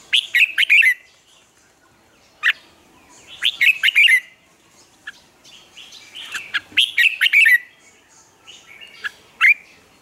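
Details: Red-whiskered bulbul trained to sing in the morning, singing hard: quick clusters of loud, bubbling whistled notes come every two to three seconds, with single sharp chips between phrases.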